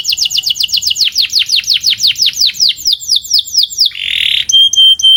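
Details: Canary singing a training song, a series of about twenty sharply falling whistled notes slowing slightly, then a harsh buzzy burst and clear steady whistled tones.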